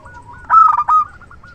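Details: Local zebra dove, a strong, loud-voiced bird kept as a trusted decoy for luring, sings a short burst of rapid, throaty cooing notes around a steady mid pitch, with softer trailing coos before and after.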